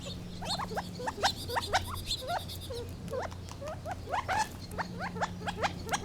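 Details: Gambel's quail chattering densely, with many short rising notes tumbling over one another and a few higher squeaks, while a low steady hum runs beneath.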